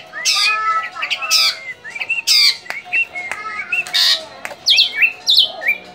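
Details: Harsh, squawking bursts alternate with clear rising and falling whistled notes from a Javan drongo, a rare bird said to be close to extinction; calls come in quick irregular runs, with a few sharp clicks and a low steady hum behind.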